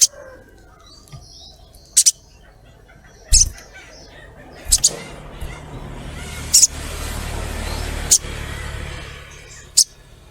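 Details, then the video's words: Female ruby-cheeked sunbird calling a male, used as a lure: single and paired sharp, very high chips every one to two seconds over a low rumbling background. "SOGOKONTONG Cret cret ngleper"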